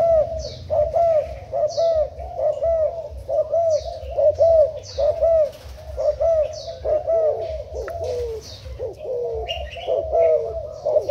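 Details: Spotted dove kept as a decoy, Thailand type, 10 April 2018: a long even series of husky coos, about seventy a minute, with high thin chirps from other birds above.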